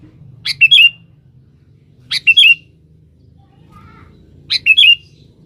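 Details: Sooty-headed bulbul, used as a lure, calling a rival: three repeats of a brisk phrase, a sharp first note then slurred whistles, spaced about two seconds apart, plus a faint low note between them and a steady low hum.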